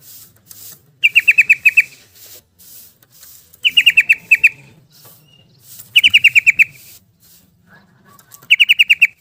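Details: Lively 'ropel' song of a yellow-vented bulbul, played to get stressed birds singing again: four evenly spaced bursts of roughly seven quick, bright notes each.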